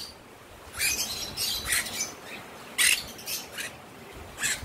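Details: A free-roaming cockatiel, excited by sudden rain and enjoying it like a shower, gives harsh, screechy squawks in short separate bursts, about seven in under five seconds, over a soft hiss.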